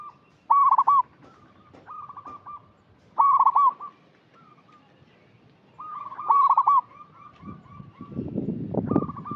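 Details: Vocal local zebra dove giving a lure call to stir up untrained doves: three loud, quick, rolling coo phrases about three seconds apart, softer coos between, then a low rustling noise at the end.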